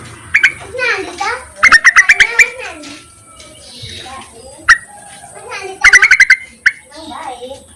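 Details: Yellow-vented bulbul calling males, used as a lure: repeated bursts of fast, chattering harmonic notes mixed with other chirps and scratchy twitters, and single sharp notes in between.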